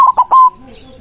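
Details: A single brief phrase from a white zebra dove calling rivals: two quick clipped coos, then a longer, steady, ringing note that fades out.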